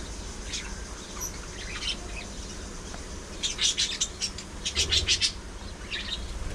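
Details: Budgies among a lively group of parakeets twitter quietly at first, then break into rapid bursts of loud, sharp high chirps repeated several times a second, followed by softer warbling.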